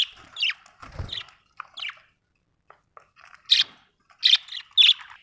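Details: Budgerigar chirping softly with scattered warbled notes and a low thump early, then a pause and three louder bright chirps near the end.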